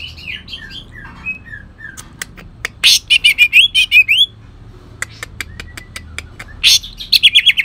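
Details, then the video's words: Cucak ijo from Kalimantan, a green leafbird, in harsh 'tembakan kasar' song with cendet imitation. Short slurred whistles are broken by clicks, then come loud rapid buzzy bursts separated by sparse ticking. "cucak ijo kalimantan tembakan kasar"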